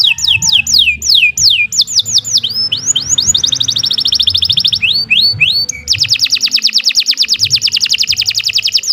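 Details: Long canary (kenari) song for tutoring other songbirds, Saturday morning: a run of swooping downslurred whistles, then rapid buzzy trills of repeated high notes, more swoops, and a long fast rattling trill at the end.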